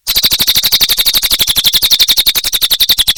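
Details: A cililin sings vigorously, pouring out an unbroken stream of quick, shrill, clipped notes, roughly ten each second, level in pitch and steady in volume throughout.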